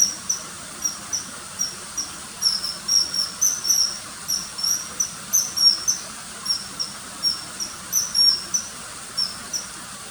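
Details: Common kingfisher, inserted calls accompanying footage of a riverside bird hovering and taking small fish: a steady stream of sharp, high whistles, often in clustered bursts, above a continuous hiss.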